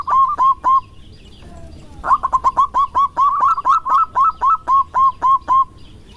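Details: Male local zebra dove courting, loud: a few quick coos, a brief gap, then a long fast series of bright, staccato cooing notes, some doubled, running steadily to the end, with low background hum.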